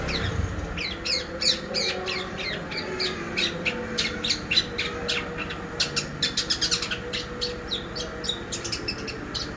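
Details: Long-tailed shrike singing as a training lure for other songbirds: a dense, continuous run of quick chirps, clicks and brief whistled slurs, delivered almost without pause over a constant low background hum.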